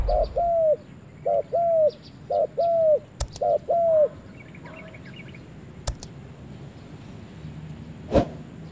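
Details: Spotted dove in a forest giving four paired coos, each a short note then a longer arched one, about once a second; afterwards the calling stops, leaving faint distant chirps and a few sharp clicks and knocks.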